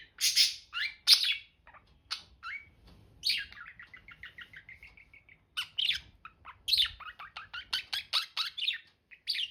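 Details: Budgies in busy chatter: loud broken chirps open, then a quick run of soft, evenly spaced ticking notes, followed by bursts of rasping and chirping notes packed closely together.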